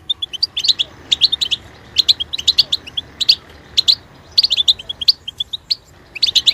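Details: Goldfinch held by an owner producing clipped bursts of high, twittering chirps and tinkling trills, clusters repeating at an uneven pace with short quiet gaps.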